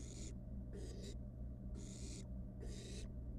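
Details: Wild barn owl nestling in a research nest box, toying with its food, gives rough breathy hisses, four bursts in under four seconds, one broken into two parts, above constant low hum.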